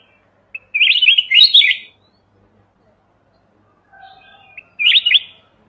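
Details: Red-whiskered bulbul from the mountains, a clean recording meant as a trapping lure: a lively warbled phrase of quick rising and falling notes lasting about a second, a pause, then a shorter matching burst.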